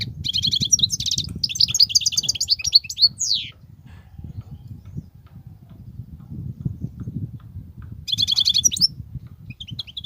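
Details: A wild European goldfinch sings a fast twittering, buzzy phrase for about three seconds, then falls silent over steady low background rumble before a brief burst of tinkling twitters resumes near the end.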